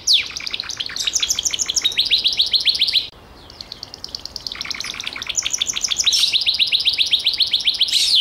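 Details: Gloster canary producing long rapid rolling trills of high repeated notes, broken by a short quiet gap before the trilling resumes strongly.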